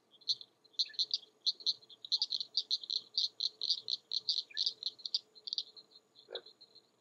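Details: King rail in Florida's Mallory Swamp on a spring morning, persistently issuing its kek call: a long steady series of sharp, dry, clicking kek notes, about three to four per second, over a faint low hum.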